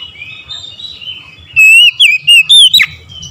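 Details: Oriental magpie-robin singing in the morning: after soft, faint warbling, a burst of four loud, clear whistled phrases with slurred, twisting notes follows in quick succession, ending in a sharp downward note.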